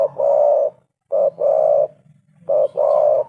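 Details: Spotted dove in full, lively voice, recording used as a lure and tutor to prompt other doves to call; low mellow cooing phrases, each a short note then a longer drawn-out coo, repeated about every one and a quarter seconds over a faint low hum.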